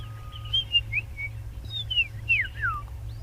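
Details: A White-browed Scrub Robin, possibly mimicking other birds, sings a varied run of clear whistled phrases slurred up and down between high notes, with a low rumble behind, on an afternoon safari drive on 5 September after the first spring rains.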